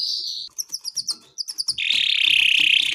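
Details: Gacor canary in long song for baiting and mastering: a steady whistle, a string of quick paired chirps, then a loud continuous buzzing trill.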